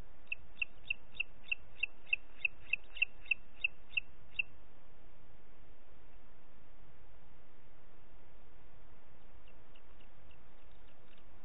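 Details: Booted eagle at Parc Natural dels Ports, 30 June 2021, late morning: a quick run of about fourteen sharp, high whistled notes over four seconds, then silence and faint repeated notes returning at the end, against low hiss.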